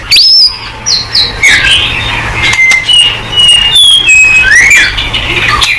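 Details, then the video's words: White-rumped shama song meant to prompt other birds to answer: a series of clear whistled notes, some rising and some falling, with short sweeping slurs over a steady low background hum. "TERAMPUH!!! MURAI BATU GACOR|Hanya cukup 5 detik Langsung NYAUT!!"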